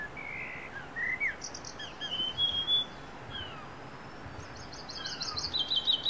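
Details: Wild niltava singing at dawn in forest: thin high whistled notes, some sliding up or down, mixed with short buzzy trills and quick chirps, among other birds of the morning chorus.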